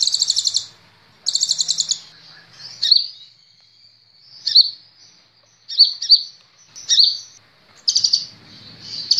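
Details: Two buzzy high trills open this kolibri ninja sunbird recording for training cage birds, followed by scattered sharp squeaky chips and a final rattling trill.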